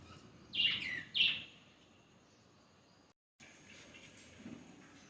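A parakeet gives two loud, harsh screeches in quick succession, each sliding downward, then falls quiet over faint background hiss.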